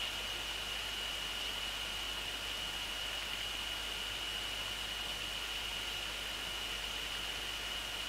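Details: Unbroken high electronic whine over steady hiss, without any animal sound.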